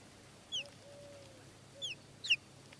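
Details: One-month-old Buff Orpington chicks make three separate sharp, high, falling peeps, the last one loudest, with a soft steady low tone in the background.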